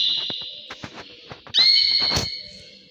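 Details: Canary singing in the early morning: a steady high trill with faint clicks, then a sudden loud, sustained whistled note that holds for over a second before fading.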